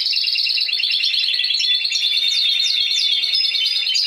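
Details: Caged Spanish timbrado canary from last season singing a continuous, metallic rolled trill, dense and unbroken, with quick descending flicks laid on top in the second half.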